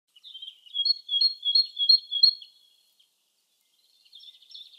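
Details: Great tit (Parus major) singing in the wild in spring: a bright two-note whistled phrase repeated about six times in quick succession, then a pause and softer, higher notes at the end.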